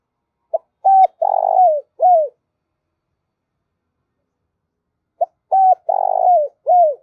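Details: Spotted dove lure call used by trappers to rouse both males and females: two matching cooing phrases about five seconds apart, each a short note, two clipped coos, a long throaty purring coo and a falling last note, quiet background.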